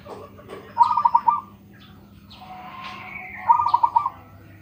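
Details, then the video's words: Local zebra dove with a notably big voice, kept as a master bird for training others: two bursts of rapid, pulsed, throaty cooing, each about half a second long, separated by quieter background sounds. "PERKUTUT LOKAL SUARA BESAR ISTIMEWA"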